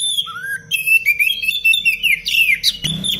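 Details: Oriental magpie-robin delivering a continuous rapid song for training other birds: rising whistles leading into a fast stream of warbled chirps and sweeps, ending in a short scratchy noise.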